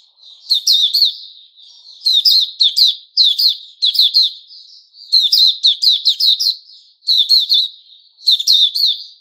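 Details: Puteh Raja white-rumped shama recorded 29 August 2021, singing steadily: dense clusters of ringing, crisp chirps about every second, joined by softer level whistles, no other sounds.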